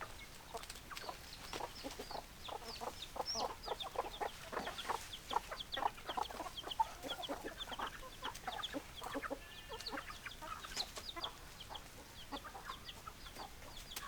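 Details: Flock of chickens clucking continuously, with many short overlapping clucks at a rapid, uneven pace and a few higher squawky notes among them throughout.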